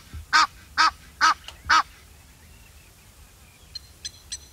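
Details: Harsh, brassy honking from an Egyptian goose: four strong regular blasts, then quieter, thin, high ticking notes toward the end over a soft low hum.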